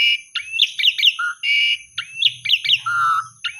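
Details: Asian pied starling song meant to stir quiet, sulking starlings into singing: quick falling chirps, a rising whistle and long flat whistles repeated in lively phrases, with faint low rumble beneath.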